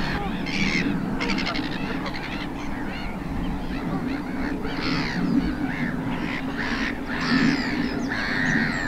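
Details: Greylag geese with young at the Cotswold Water Park, Gloucestershire, on 4 May 2022: several birds give overlapping nasal honks, some in quick stuttering runs, over a steady low rumble.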